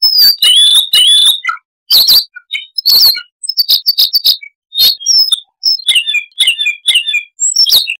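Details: A small insect-eating songbird, the Siberian rubythroat, sings a rambling song of high whistled slurs, sharp chirps and scratchy clicks, delivered in bursts with short gaps.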